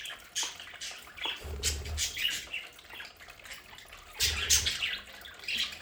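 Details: Household budgerigars in their play area give rapid, uneven chirps and chatter, with two short low rumbles in the background.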